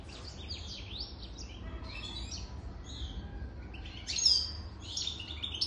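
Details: European goldfinch over three years of age with sparse, high, slurred twitters and short buzzy phrases spaced over several seconds, one louder sharp note near the end, over a low background hiss.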